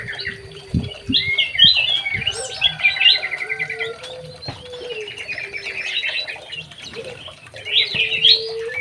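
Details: Young male white-rumped shama in an aviary singing soft, rambling twittered phrases with rapid trills and short whistles, alongside a lower repeated whistled note and scattered tapping or fluttering sounds.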